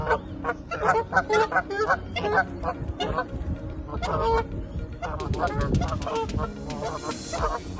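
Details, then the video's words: Ducks being fed at Leazes Park, Newcastle, UK, on a sunny day quack in a rapid, nasal chorus of overlapping calls, with some louder honking notes and low background rumble. "duck feeding sound"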